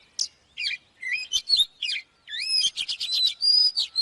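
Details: Oriental magpie-robin in fired-up song for training birds to sing: varied slurred whistles and chips, then a rising sweep leading into a rapid chattering run and a long steady high whistle.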